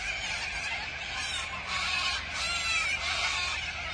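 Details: A big flock of corellas at Tocumwal on the Murray screeches at once, a dense, harsh, continuous wall of raspy calls with no pauses between birds.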